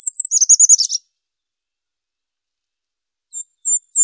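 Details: Goldcrest giving very high, thin notes: a quick rapid series of tiny tinkling units ending in a slightly lower trilled flourish, then a pause of two seconds before three more faint high notes begin.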